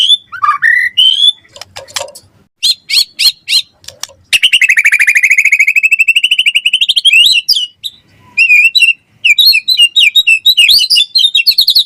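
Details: White-rumped shama singing hard, a lure and tutor song full of varied phrases: sharp clicking notes and whistles, then a long buzzy rattling trill lasting about three seconds, followed by rapid high chatter.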